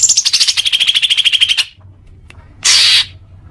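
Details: Greater green leafbird singing, a recording meant to get caged birds singing more: a fast pulsing trill sliding down from very high, then a pause and a short harsh buzzy rasp.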